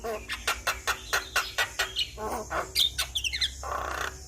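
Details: Asian pied starling in lively song, meant to stir a stressed starling: a regular run of short harsh chack notes, about four per second, then squeaky whistles and a rough buzzy ending.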